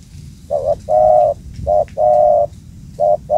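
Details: Wild spotted dove with a booming voice, found at an old spot and quickly caught. It gives loud low coos in three phrases, each a short coo followed by a longer steady coo, over faint background hiss.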